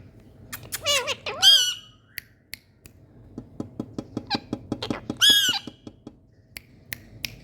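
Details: Happy Indian parrots playing: a burst of harsh descending chattering notes and a loud squawk, then a long series of dry ticking clicks about every quarter second, ending with another squawk.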